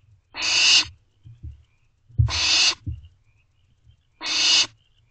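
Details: Wild barn owl chicks calling for food from their parents, Owl Box C, 11:48 pm, 24 May 2023; three long hoarse hisses spaced about two seconds apart, low knocking and shuffling noises in between.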